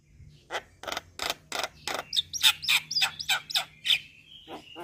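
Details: Starling calls used as a lure to make starlings respond: a run of harsh, rasping notes about three per second, later mixed with short whistled inflections, loud and close.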